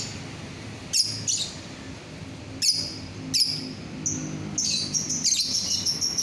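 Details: Singing lovebird meant to draw other lovebirds into song: separate shrill chirps spaced about a second apart, then a fast, continuous, high twittering trill.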